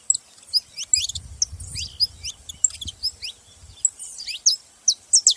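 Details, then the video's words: Several saffron finches making noise: sharp, high chirps and short rising and falling whistled notes in scattered bursts, with a low rumble of background noise underneath. "Canarinhos fazendo barulho"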